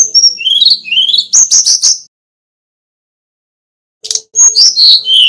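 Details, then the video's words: Male Brown-chested jungle flycatcher from Bali in full flute-like song, used as a master recording to train other birds: clear whistled notes sliding up and down, then quick sharp chirps, a two-second pause, and another burst. "Kicau Burung Sikatan Rimba Dada Coklat (SRDC) Bali Jantan Nyuling Gacor Isian Keluar"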